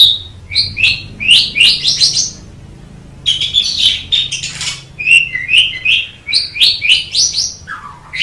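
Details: Asian pied starling song made of rising whistled slurs and chattering notes in quick bursts, with a pause midway; low background hum throughout.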